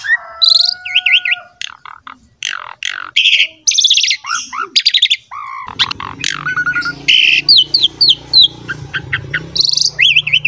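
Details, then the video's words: Asian pied starling (jalak suren) in a varied, rapid, energetic song of whistles, wheezy notes and liquid warbles, with a low hum in the background in the second half; used as a lure to prompt other starlings to sing. "SUARA JALAK SUREN GACOR MOMPA UNTUK PANCINGAN JALAK, SESAAT DIPUTAR SEMUA JALAK LANGSUNG BERBUNYI"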